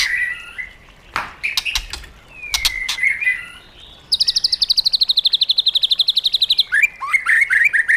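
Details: White-rumped shama kept in a cage, singing the wild-style song used for training: scattered whistles and clicks, then a fast high trill of about thirty even notes, ending in fluting whistled phrases.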